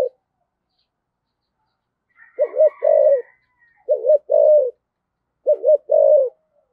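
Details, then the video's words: Decoy spotted dove, thổ voice style, calling with a two-part ending; three evenly spaced phrases, each a short low note then a longer rounded coo, with a faint higher note near the first phrase. "chim cu gáy giọng thổ thúc gù và gáy gọi hai hậu rất chuẩn"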